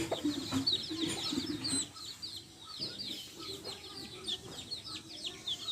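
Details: Backyard hens and chicks, with chicks feeding: steady high, short, downslurred chick peeps repeated quickly throughout, plus a few low hen clucks near the start; quieter than the rest.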